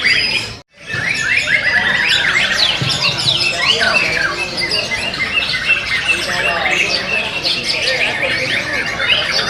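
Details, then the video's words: Caged white-rumped shamas competing at the Reyalita Cup 1 singing contest in Central Lombok, Indonesia. A brief dropout opens the passage, then continuous crowded whistles, trills and sharp chips pour from many birds, with muffled crowd talk. "Lomba Burung Murai Batu"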